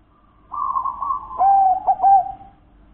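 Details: Zebra dove, local wild-type bird, delivering one phrase of soft cooing: a smooth lower note, then a run of quick, stuttering coos that fade away, with a faint hum in the background.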